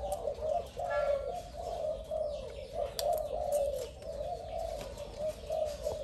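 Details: Low, husky coos from a spotted dove said to be new and fierce run together in steady wavering phrases, with a few faint higher chirps and clicking noises behind.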